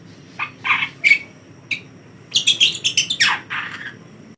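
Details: A young long-tailed shrike, teased with a hand, gives a run of harsh, scratchy, chattering notes in irregular bursts, some rising to grating squeals, over a faint low hum.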